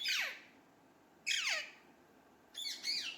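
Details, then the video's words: Hand-tame pet Alexandrine parakeet kept with ringneck parakeets, indoors, said to speak Urdu/Hindi: three harsh, squawky bursts that slide steeply downward, spaced about a second apart, in a quiet room. "Alexandrine Parrot Talking / Hand Tame Talking Alexandrine Parrot"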